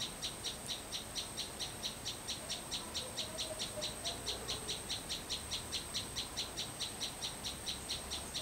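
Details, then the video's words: Sunbird singing in a garden behind a house in the singer's home village, a clear, cheerful voice: about nineteen high, sharp chip notes repeated steadily, a little over two per second, over a faint constant high whine. "Chim Sâu Hót Sau Vườn"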